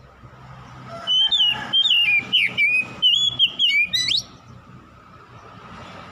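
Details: Oriental magpie-robin song played as a lure to rouse quiet magpie-robins: after a hissy start, three seconds of rapid whistled notes and twisting glides end in a high upward flourish, then background hiss.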